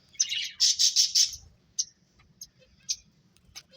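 Finches give a quick burst of high, scratchy chirps, then several sharp single notes spaced about half a second apart.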